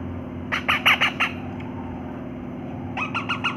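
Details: Parrot cleaning its mouth after lunch gives five loud, harsh squawks in quick succession, a pause, then four softer rapid squawks; constant low hum behind.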